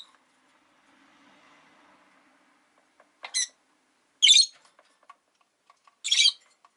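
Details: Rosy-faced lovebirds, five caged pet birds by a window in winter, calling often: three shrill, harsh chirps spaced about a second apart, each short and noisy, with faint clicks and a soft murmur between them.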